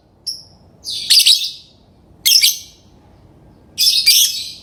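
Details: Lovebird calling: a thin faint note, then three loud, shrill, scratchy chirp bursts spaced about one and a half seconds apart.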